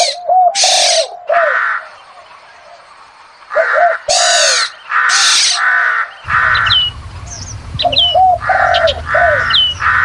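Black-naped oriole giving harsh, nasal, cat-like squalls mixed with short fluty looping whistles, in bursts about a second apart; a low hum enters in the second half.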